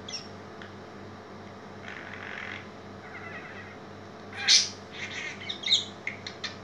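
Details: A budgerigar playing and dancing gives scratchy, high chirps and short chattering bursts over a steady low indoor hum.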